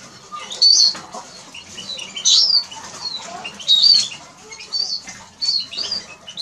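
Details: Eurasian siskin giving bright high whistled notes and brief twittering phrases, with loud bursts about every one and a half seconds between quieter chatter and light rustling.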